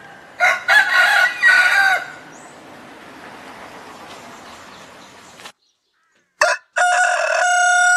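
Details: A Southwest Asian domestic rooster crows harshly for about one and a half seconds. Silence follows, then a short burst and a strong, steady crow.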